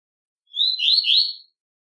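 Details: A single short velox tui tui phrase from a double-collared seedeater: a rising whistled note sliding into quick, slurred, buzzy warbles, sung to stimulate fighting spirit. Clean, with no other sounds.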